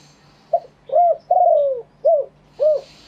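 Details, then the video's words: Spotted dove cooing live in wild-style phrasing: short arched coos around one long falling coo, five notes in about three seconds at uneven spacing, soft and mellow, with a faint constant hum in the background. "เสียงนกเขาใหญ่ ขันสด คารมป่าแท้"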